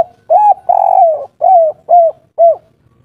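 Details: Local Indonesian spotted dove singing in the three-note "kuk 3" style, noted for a soft, full voice: a long mellow coo, a longer rolling coo, then three short hooked coos spaced about half a second apart, clean background.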